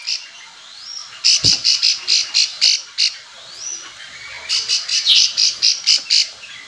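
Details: Companion-calling Bar-winged prinia, used to coax other prinias into singing in reply: two long runs of rapid, piercing notes, about eight in each, preceded by a soft upslurred whistle.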